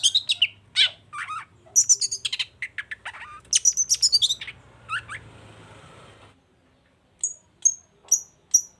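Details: Vigorous long-tailed shrike song to draw silent shrikes into replying: quick phrases of chirps and whistled notes, a short buzzy stretch, then a few thin high pips after silence.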